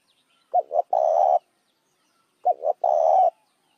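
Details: Spotted dove cooing to lure other doves: two phrases, each a short paired note and then a longer rough coo, about two seconds apart, with nothing else heard.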